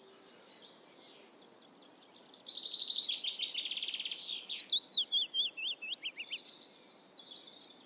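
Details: Eurasian reed warbler singing: a chattering run of harsh, rapidly repeated notes that builds into a loud rhythmic churring stretch, then twanging up-and-down slurred notes pulsing about twice a second, over a faint background hiss.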